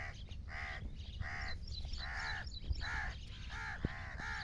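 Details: A grey francolin's call, used as a lure sound by hunters: a rhythmic run of about seven harsh, ringing notes with bowed tones, spaced roughly half a second apart and speeding slightly near the end, over steady low noise.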